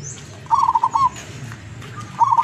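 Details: Decoy zebra dove, a local wild bird from Tuban in East Java, singing eagerly: two rapid, rolling coo phrases with a gap between them over a low background rumble.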